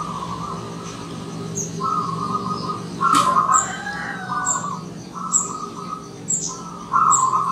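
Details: Visiting wild zebra dove repeating short, rippling cooing phrases, about five in quick succession, while thin high-pitched chirps from other small birds sound behind it.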